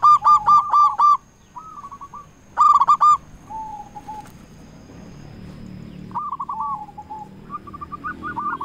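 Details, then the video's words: Lure song of a local zebra dove meant to rouse lazy doves: two loud bursts of quick rolling coos with softer coo runs between, then quieter trilling phrases near the end. "Perkutut lokal gacor suara cocok untuk pancingan semua jenis perkutut yang malas bunyi"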